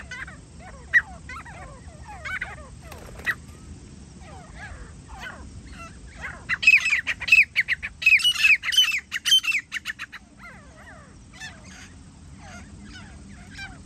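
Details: Grey francolin, wild birds during partridge hunting and trapping: scattered short squeaky notes, then a loud burst of rapid shrill screechy calls for about four seconds, fading back to sparse chirps over rural background hum.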